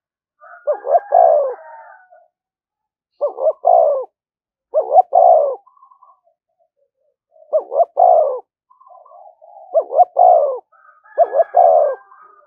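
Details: ['Decoy spotted dove cooing nonstop to provoke rivals into fighting; mellow hollow coo phrases, each a pair of short notes and a longer throaty coo, repeated about every two to three seconds in an otherwise quiet setting.']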